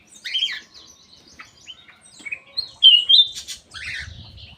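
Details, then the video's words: Aviary-kept black-capped bulbul giving lively song, clear whistled notes rising and falling, a strong slurred phrase near the middle, then rapid chirps, with faint low rustling at the end. "KICAU KUTILANG EMAS \ CUCAK EMAS GACOR"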